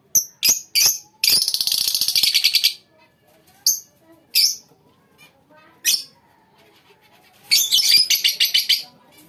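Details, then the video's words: A colony of lovebirds giving shrill, harsh chirps. Some notes are short and sharp; others run together as raspy chattering bursts lasting about a second, with quiet gaps between them. "lovebirds colony"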